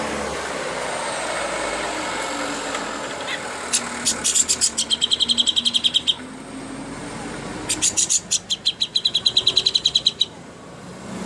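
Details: Greater green leafbird (cucak hijau) master song for contest birds. Two fast bursts of high ringing trilled notes stand out over steady background traffic noise.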